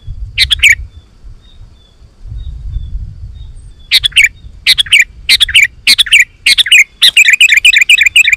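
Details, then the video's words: Sooty-headed bulbul in lively song, used to lure other bulbuls: one chirpy phrase, a silence, then a run of short descending phrases that speed into a fast chattering trill at the end. "Suara Burung KUTILANG GACOR"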